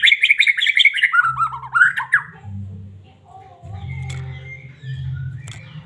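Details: White-rumped shama of the Medan type, singing to provoke other caged shamas; loud whistled phrases sliding between high and middle pitch for about two seconds, then fading to faint distant notes over a steady low hum.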